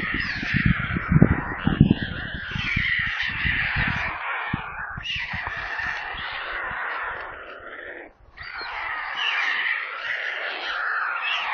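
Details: Hungry white stork chicks in a nest near Kaluga, central Russia, seen on a live nest camera. They give harsh, hissing, screeching begging in long rasping bursts with a brief pause near the end, over low thumping knocks.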